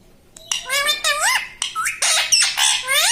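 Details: Pet parrot talking, copying words like "mummy": rapid, chattering sequence of harsh, voice-like syllables with rising and falling inflections, packed closely together and growing louder.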